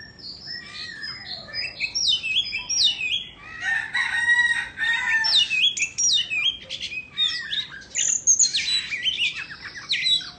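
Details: Singing while performing a tail-fanning dance, an Indonesian Oriental magpie-robin delivers a varied, energetic stream of high whistles, scratchy notes and quick trills in overlapping bursts.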